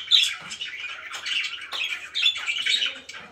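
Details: Happy pet budgerigars chattering: a dense, scratchy warble of quick chirps and buzzy notes, with a bright squeaky note at the start and steady overlapping twitters throughout.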